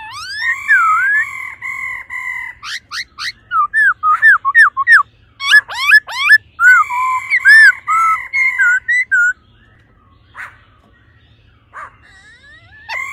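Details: Rapid 'ro ro' calling by a female laughingthrush stimulating the male: long runs of clear whistled notes mixed with sharp sweeping and wavering phrases, breaking off into a quiet stretch with a few isolated notes.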